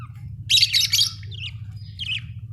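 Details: Budgie letting out a loud, raspy chirping burst, then softer warbled chirps and a short whistle, against a constant low humming background.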